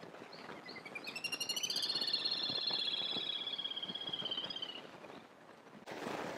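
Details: Little grebe parent with chicks at Akigase Park on 22 May 2024: a long, rapid, high trill climbs, holds as a steady whinnying rattle for about three seconds, then tapers off, with a brief burst of noise at the end.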